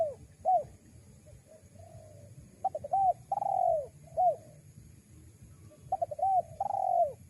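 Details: Spotted dove luring call for attracting wild doves: soft low coos, then two phrases of quick stuttered notes each closing on a long, swelling, falling coo, over a faint constant hum.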